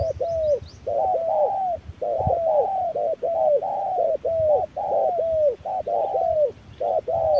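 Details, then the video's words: A wild spotted dove trading calls with a decoy under hot noon sun: dense run of soft paired coos, closely spaced and overlapping, with a brief high chirp from another bird at the start. "MỒI MÁY DẬP ĐẤU BỔI GIỮA TRƯA NẮNG GẮT BỔI HÁ CẢ MỎ"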